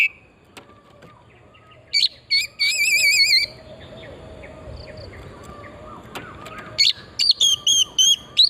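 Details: Oriental magpie-robin song played as a lure to stimulate singing: a wavering trilled whistle and scattered chips over a faint background hum, ending in a quick series of bright whistled notes.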